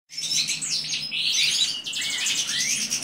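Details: Mutation European goldfinch during mating: dense, high twittering song with fast buzzy trills and tinkling notes, a few sliding whistled notes, continuous throughout, over a faint low hum.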